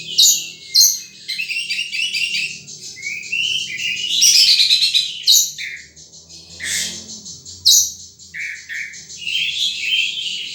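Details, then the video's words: Wild sunbird with busy, high-pitched chirping and twittering, sharp notes repeated irregularly and some downward-sliding whistles; faint low rumble underneath. "Suara Burung Madu liar"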